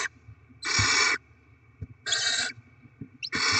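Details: Barn owls at the nest while chicks are fed rodents, 7 February 2024: three clear rasping hisses, each about half a second, spaced over a second apart, with faint taps between.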